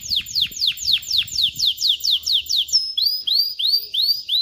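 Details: Canary cock's song aimed at teaching chicks and preparing hens for mating: steady series of falling whistled notes about four per second, then a phrase of rising arched whistles.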